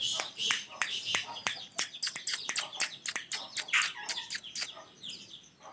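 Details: Natural calls of a rose-ringed (ringneck) parakeet pair: a quiet, irregular series of short, sharp chirps and clicks with some harsher, noisier notes over about six seconds.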